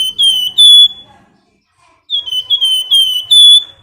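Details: Gacor Flamboyan, a female calling her mate: two phrases of piercing, clear whistled notes, the first short and the second longer, each made of slurred, slightly falling whistles in quick succession.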